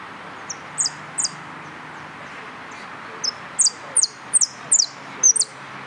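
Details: Canary competing in a singing contest, starting with a few sparse high chirps, then a faster run of paired sharp notes that each slide steeply downward, roughly two pairs per second, over faint steady room noise.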